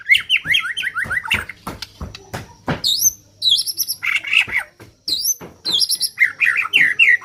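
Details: Neglected caged white-rumped shama with a strange voice: rough, fast series of wavering chattering notes and high upslurred whistles, with clicks and knocking sounds around it and a steady low hum.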